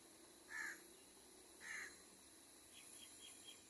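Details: Wild crow near a baby crow being fed, with angry calling around it: two harsh caws about a second apart, followed by faint soft ticking sounds and a constant hiss.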